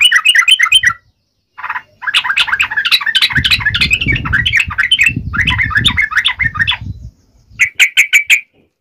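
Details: Yellow-vented bulbul fighting song in the tarung ngalas uplik ropel style, used to make other bulbuls answer: bursts of rapid, harsh chattering notes with pauses between phrases and low rumbling noise in the middle.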